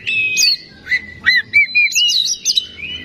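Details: Oriental magpie-robin (kacer) song used to provoke singing: loud, clear whistled phrases, including sustained flat whistles and quick rising and falling slurs.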